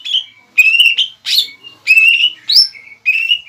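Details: Greater green leafbird, a caged bird used to provoke a rival into answering: loud phrases of clear whistled notes and buzzy slurs around a steady mid-high pitch, separated by short pauses, with rising notes and bright chattering bursts.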